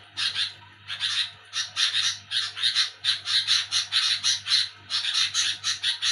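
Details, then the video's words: Sooty-headed bulbul calling noisily at night: after a short quiet start, rapid rasping bursts follow one another several per second in an almost unbroken chatter, over a low steady hum. "Burung Kutilang Bunyi Nyerecet ribut di malam Hari"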